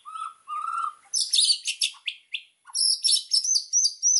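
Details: White-rumped shama master song for training birds: two rising low whistles, then dense high chattering phrases and a sustained high twittering passage, rich and varied throughout.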